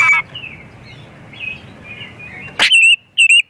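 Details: Oriental magpie-robin singing without pause, its song filled with varied phrases, as a lure for other magpie-robins. A harsh opening note and soft warbling lead to loud, clear, ringing whistles repeated twice in quick succession.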